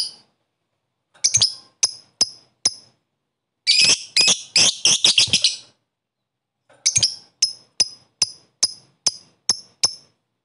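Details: Lovebird calling a rival to excite other lovebirds: thin sharp high chips in loose series, a dense two-second burst of harsh squawks in the middle, then a run of evenly spaced chips.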